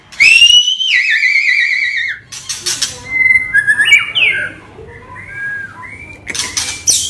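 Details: White-rumped shama in agitated, non-stop song meant to provoke other birds, opening with a long quavering whistled trill, then harsh bursts and varied fluty, squeaky phrases with faint low hum behind.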